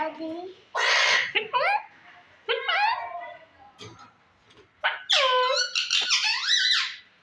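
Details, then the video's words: Pet rose-ringed parakeet, a green ringneck from Pakistan, talking and saying "mitthu", with bursts of harsh, squeaky speech-like phrases and rising and falling voiced syllables separated by short pauses. "talking raw parrot say mitthu"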